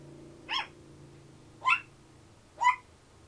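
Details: Ten-year-old pet African grey parrot indoors imitating a dog's bark: three short harsh bark-like bursts, evenly spaced about a second apart, over a low steady hum.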